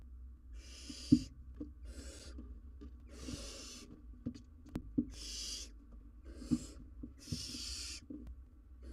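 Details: Barn owl owlet, wild, filmed by live cam while struggling with an oversized jird as prey; six rasping hiss bursts come in quick succession, roughly every second and a half, with low knocks and scuffing between them.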